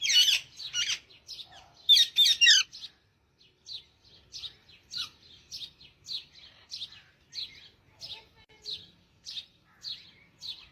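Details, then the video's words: Parrot singing: a loud burst of harsh, broadband chattering notes opens, followed by a steady run of short, high chirps repeated about three times per second. "parrot singing"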